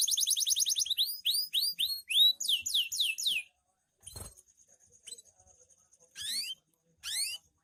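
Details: Loper-style canary singing at night: a burst of quick rising swept chirps in rapid series, then a pause and a few isolated upward-sweeping notes with a single click between.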